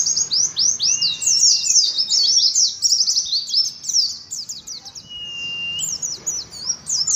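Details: Rapid ngalas singing from an Oriental white-eye: high, tumbling chirps strung densely together, interrupted twice by long, even whistled tones at a lower pitch.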